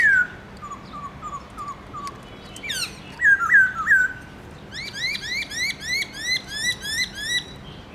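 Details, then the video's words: A kept black-throated laughingthrush in its multi-voiced morning forest song: a run of soft short whistles, three loud slurred phrases, then a long even series of rising, ringing notes. "Khướu bạc má HÓT GIỌNG RỪNG- LUYẾN NHIỀU ÂM"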